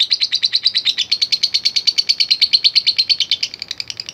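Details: A fighter lovebird's long ngekek chatter, meant as a lure for other lovebirds: crisp, even, rapid shrill pulses, about seven a second, easing to softer, broken notes at the close.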